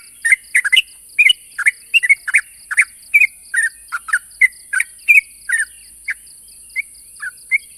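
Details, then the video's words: Sooty-headed bulbul calling out a rival, giving quick chattering clusters of liquid, falling notes, two or three at a time, thinning out toward the end; constant thin high tone underneath. "suara burung trucuk memanggil lawan"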